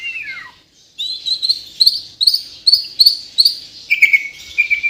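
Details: White-rumped shama from Kalimantan, Borneo, in 'gacor' song: a falling whistle, then a string of high, evenly spaced sharp chirps, closing with level clear whistled notes.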